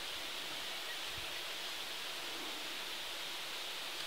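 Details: A steady, even rush of broadband noise like a stream or waterfall fills the whole recording, with no calls or other distinct sounds rising above it.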